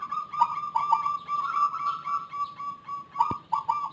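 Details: Zebra dove with an unusual voice unlike local or Bangkok birds, a frequent and long caller: a dense run of mellow, rolling coo notes near one pitch, almost continuous, with a brief click near the end.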